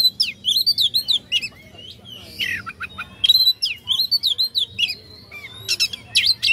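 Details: Oriental magpie-robin song meant to provoke rival birds into singing: dense, rapid bursts of high, sharp whistles and trilled chirps in repeated phrases, with very short pauses between them.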